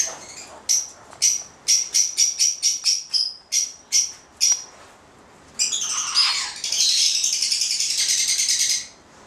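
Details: Two male white-bellied caiques of the subspecies xanthomeria: a rapid series of short, harsh squawks about twice a second, then a long continuous shrill screeching burst.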